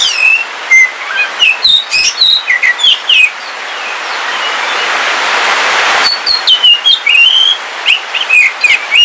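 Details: Caged Kalimantan black oriental magpie-robin singing on a rainy day: a lively series of whistled and slurred notes, a pause with only a swelling rain hiss, then another burst of varied whistles.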